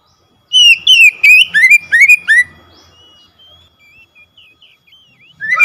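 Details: Oriental magpie-robin song meant to provoke a silent bird into singing: a burst of loud, clear whistled notes sweeping downward, about ten phrases in two seconds, then faint softer notes and a new phrase at the end.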